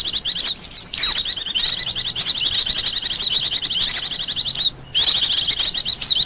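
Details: Wild Japanese white-eye delivering a long, nearly unbroken stream of high rapid twittering and slurred whistles, suitable as lure and master song, with one short pause before the chatter continues.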